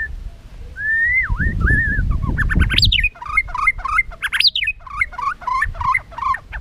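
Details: White-rumped shama in contest song with tail flicking, used to stimulate other birds: a looping whistled phrase, then quick rhythmic chattering notes repeated many times, over low rumbling background noise.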